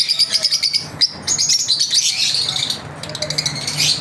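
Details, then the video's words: Pet lovebirds chirping as part of their daily routine, several birds calling together in quick, shrill, squeaky chirps and twitters, rhythmic bursts that rise and fall in loudness over a faint low hum. "Lovebirds Chirping"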